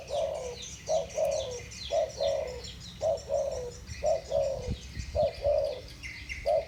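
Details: Two spotted doves in the thổ bầu voice style calling against each other: low cooing phrases, each a short note then a longer falling coo, repeated about once a second, with faint rustling and soft background noise.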